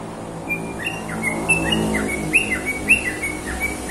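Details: Bird singing with short whistled notes and quick upslurs, repeated irregularly about twice a second, over a steady low hum and background noise.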